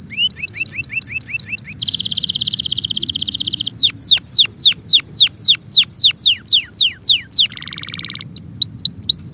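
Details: A male canary sings a varied song: repeated paired chirps, a dense rolling trill, a series of loud sweeping downslurred whistles about three per second, a short low buzz, then rising chirps again.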